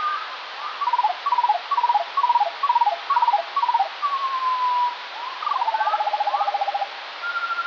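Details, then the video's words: Morning recording of Eurasian skylark song, slowed to a lower pitch, perhaps several birds: a series of short, repeated falling note groups, a smooth drawn-out whistle, then a fast rattling trill and another sustained whistled note. "Skylark - but slower"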